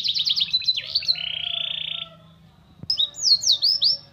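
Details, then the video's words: Canary with white-eye (pleci) phrases in its song: quick chipping notes, a sustained buzzy note, a short silence and a click, then a few loud whistled slurs. "Burung kenari bocor materi pleci untuk menaikan emosi"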